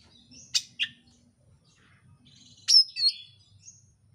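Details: Oriental magpie-robin song played to provoke a bird into singing: two sharp high chips, a pause, then a loud burst of slurred whistled notes, with a faint low hum beneath.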